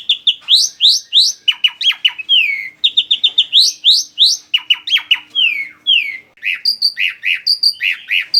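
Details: Black-winged starling singing continuously, played to lure birds: rapid rising and falling chirps, sharp upswept whistles and slurred downward notes, repeated in bursts with little pause, bright and high-pitched throughout.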